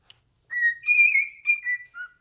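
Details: Pet cockatiel singing indoors while fixated on its owner's foot: clear whistled notes, a steady tone sliding up into a bright wavering phrase, then short falling whistles, all in under two seconds.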